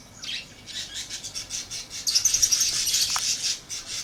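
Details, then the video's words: Lovebird chatter with steady, fast, high-pitched chirping that swells into a denser, louder shrill twittering stretch halfway through, plus one lower squeak, against a faint background hiss. "Lovebird Chirping Sounds"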